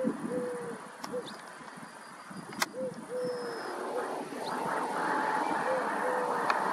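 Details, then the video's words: Streptopelia dove near Walshofen, between Schrobenhausen and Aichach, repeating its short-long-short coo twice, the second phrase partly masked by rising broadband outdoor noise and a thin high whistled tone. "Streptopelia call"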